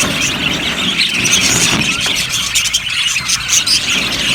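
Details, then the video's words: Yellow budgerigars chirping in an aviary colony, their high, busy twitter overlapping continuously, with a few clearer whistled notes near the end and a noticeable low background rumble. "Beautiful Budgies sounds | Budgies chirping sounds"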